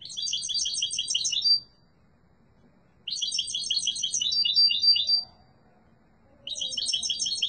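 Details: European goldfinch of the yellow mutation in strong song. Three dense phrases of fast, bright twittering and chattering, each lasting about one and a half to two seconds and separated by silent gaps.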